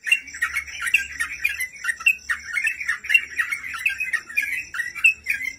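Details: Sooty-headed bulbul, cage-bird training master; rich chattering, bubbling phrases with occasional sharp whistled accents, flowing continuously, accompanied by a faint low hum and steady high hiss.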